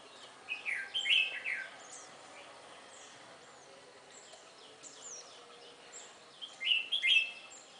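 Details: Red-whiskered bulbul near a house, recorded on March 12: two bursts of bright, bubbly warbled notes, one early and one near the end, with fainter high chirps from other birds and a steady hiss of background noise between.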